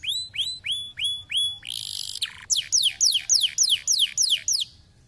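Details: Canary song to get lazy canaries singing: five repeated clear falling whistles, a dense buzzy rattle, then a steady series of about ten quick descending chirps, fading out.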